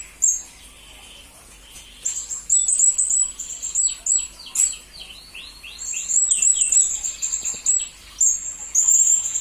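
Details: Shrill, rapid twittering from a blue-crowned hanging parrot on a master recording for songbird training: long trains of very high chirps mixed with descending slurred whistles, in busy bursts separated by short pauses.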